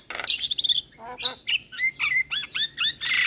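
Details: Javan myna lure song with full fill-in phrases, meant to make other mynas call back: a harsh opening burst, then clear whistles bending up and down, ending in a loud buzzy note.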